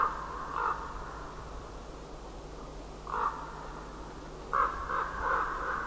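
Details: Ravens greeting the start of the day on 5 March 2012 trade harsh, croaking caws: single calls spaced a few seconds apart, then a closer burst of three, over steady ambient noise outdoors.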